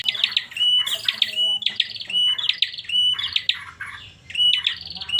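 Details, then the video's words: Prinia held in captivity making a strange call of repeated phrases, each a clear flat whistle followed by a buzzy chatter, about one phrase per second. "Suara aneh burung Prenjak"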